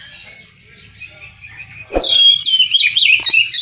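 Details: After a soft warbling start and a sharp click, an Oriental magpie-robin breaks into loud, rapid song of bright whistles and twisting, buzzy slurs.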